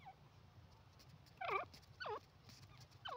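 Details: Grey francolin (teetar) gives loud, harsh, grating notes that sweep downward, three bursts about half a second apart, over a low background rumble.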